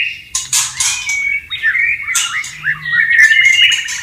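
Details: Wild white-rumped shama singing beside flowing water: rich varied phrases mixing harsh buzzy notes with clear rising and falling whistles, delivered in a fast continuous stream.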